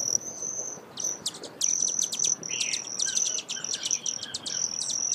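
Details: Broad-tailed hummingbird: a thin, high, steady trill runs beneath a rapid series of sharp, clicking chips, several per second, over a soft background hiss.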